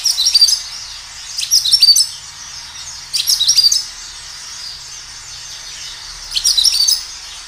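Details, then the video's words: Lively kinoi song as a natural lure for other kinoi: four separate bursts of thin, very high, rapid twittering, each under a second long, spaced one to three seconds apart over faint background hiss. "Suara kinoi gacor"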